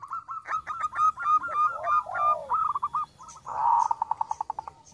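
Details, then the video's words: Local zebra dove giving luring song: a quick rattle of short ringing notes and two long bowed coos, then a brief gap and a fast, accelerating trill of clipped beats. "PERKUTUT LOKAL GACOR suara kecil - CEPAT RESPON LANGSUNG NYAUT"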